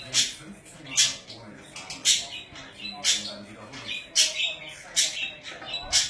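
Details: Pet budgerigars, also called parakeets, kept indoors, giving scratchy chattering squawks with sharp high chirps about once a second over a low murmur.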